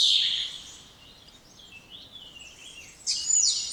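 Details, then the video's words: Spotless starling song: a bright high whistle sliding down at the start, a thin wavering middle passage, then a louder burst of high whistled notes near the end. No other sounds. "Canto dos Estorninho Impecável ou Estorninho Imaculado"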